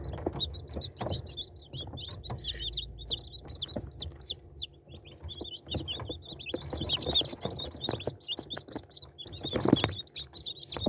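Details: Chicks keep up a steady chorus of shrill, rising-and-falling peeps that grows denser toward the end, with handling thuds and rustling below.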